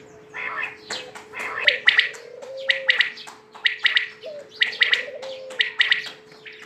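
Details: Quail giving rapid, harsh chirping notes in quick bursts, some grouped in threes, repeated through the recording over a constant low electrical hum, with a few brief tonal slides underneath.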